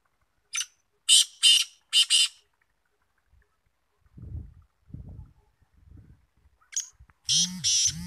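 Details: Black francolin (kala teetar) calling with a rasping, buzzy phrase of four harsh notes, then a pause with low thumps and handling sounds, before another loud grating burst of notes begins at the end.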